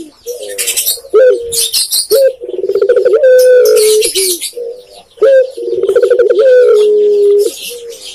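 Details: Spotted dove, known in Indonesia as tekukur, cooing close and loud: a short rising note, then a rolling, pulsed coo that settles into a long, steady, slightly falling note, repeated twice, with faint high twittering behind.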